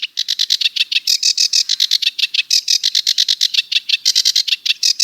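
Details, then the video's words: Sedge warbler churring and chattering: rapid scratchy notes in a continuous, slightly uneven rattle, with small shifts in pitch and rhythm. "Sedge Warbler - Songs"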